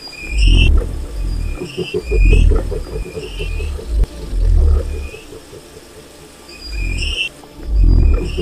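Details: Wild cassowary giving deep, low booming rumbles in bursts of about half a second to a second, repeated several times, over a steady rapid pulsed ticking and high whistled notes from other creatures.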